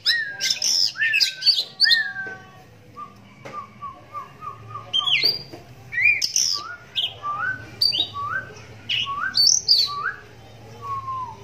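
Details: Captive oriental magpie-robin, one-eyed from a right-eye cataract since young, singing with other magpie-robins answering; a lively varied run of whistles, short repeated rising notes and sharp high chirps, with a faint low hum behind.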